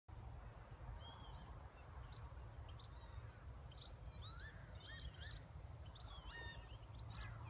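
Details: Lapwings in a field: several wheezy, slurred calls from a lapwing, rising then dipping and bunched in the second half, over a steady low rumble of wind, with faint chirps from other birds.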